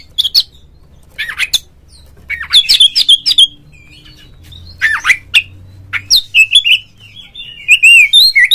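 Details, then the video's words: Lure song of an Oriental magpie-robin, played to stir a kept bird into singing and opening its tail: short scratchy bursts separated by quiet gaps, building to a run of clear repeated whistles near the end, faint hum underneath. "suara pancingan burung Kacer agar CEPAT GACOR FULL buka ekor dongkrak EMOSI"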